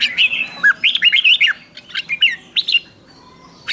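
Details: Red-whiskered bulbul giving a lure song for wild birds: a tight string of bubbly, rolling chirps over about a second and a half, then a few looser phrases and a final short note.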